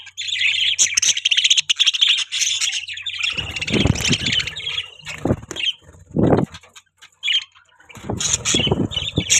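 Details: Captive budgerigars keep up a busy high twitter of squeaky, buzzy notes, with a low steady hum and several loud low knocks or rustles breaking in.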